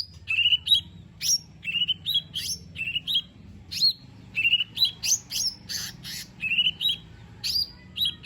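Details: Lesser green leafbird delivering a dense varied song, intended to prompt a lazy bird to sing, of repeated slurred whistles, quick two-part notes and harsh bursts nearly every half second, over faint low hum.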